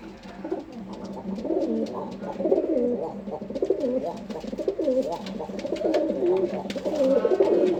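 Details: An adult male domestic pigeon, a proven breeder kept in a loft near a black female, gives repeated low, throaty rolling coos, almost one a second.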